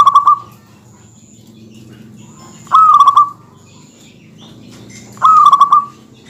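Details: Local zebra dove (perkutut) giving dense song to rile rival males: three short rolling cooing phrases spaced about two and a half seconds apart over a low hum.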